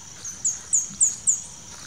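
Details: Speckled Spinetail near Shaime, Zamora, Ecuador, giving a quick run of five very high, thin, downslurred notes spaced about a quarter-second apart, over a faint background hiss.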